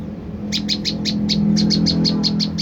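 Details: Rapid string of about twelve shrill, clipped chirps from an olive-backed tailorbird, a lure call meant to trigger an answer, with a low humming background.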